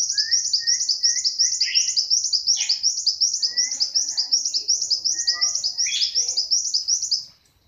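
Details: A tame captive brown-throated sunbird, hand-raised from young, sings a fast, unbroken stream of thin, very high twittering with short lower whistled notes mixed in.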